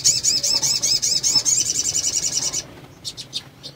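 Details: Female sunbird in breeding condition, calling to stimulate males to sing: a dense, rapid series of high, looping twitters for over two seconds, ending abruptly, then a few soft high chips.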